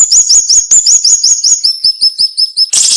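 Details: Flowerpecker known locally as siri-siri giving its tight, sharp tutor-style song: about fifteen fast, high, upslurred ticking notes that step down in pitch midway, ending in a sudden buzzy burst.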